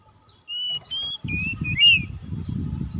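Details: Oriental magpie-robin lure song for birds that seldom sing: several thin whistled notes and a short looping flourish, partly covered by steady low rumbling noise.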